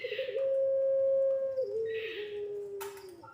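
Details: Puter pelung dove, a lure for young birds: one very long, level, low coo held well over a second, then stepping down to a lower drawn-out tone, with a breathy hiss and a sharp click near the end.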